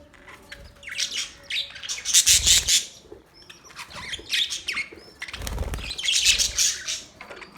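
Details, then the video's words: Budgies chirping: bursts of high, scratchy chirps and short twittering phrases come in clusters, with loud wing-flapping thumps near the middle and again later, and brief quieter gaps between bursts. "Budgies chirping sound"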